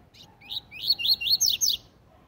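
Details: Tui tui zel zel song of a Double-collared seedeater, used as a model for young birds: a soft introductory note, then six quick high whistled notes, rising slurs giving way to sharp descending sweeps.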